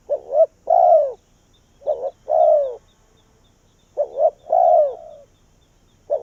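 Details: Decoy spotted dove from Vietnam calling to draw wild doves close. Its phrase is a quick doubled coo then a drawn-out, descending croo, repeated three times at roughly two-second intervals in a quiet setting.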